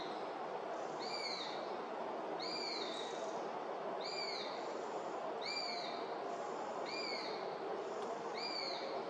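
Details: Young Eurasian sparrowhawk begging at Beemdkant, Wijnegem, on 11 August 2021; thin, high, slurred squealing calls, each rising then falling, repeated about every one and a half seconds over a steady background hiss.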